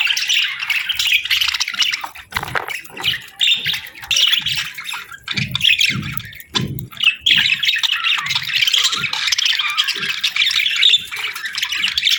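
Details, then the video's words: Budgerigar pair in the breeding season chattering nonstop, a dense buzzy warble mixed with sharp squeaks and clicks, briefly dipping around two and six seconds before resuming. "Budgie Pair Chirping Sounds 🐦💕 | Budgie Breeding Season 🦜✨"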